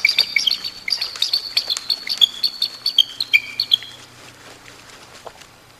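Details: Bald eagle pair copulating at the Decorah North nest in February: a rapid series of high, thin, piping chirps and descending squeals, roughly five per second, fading out after about four seconds.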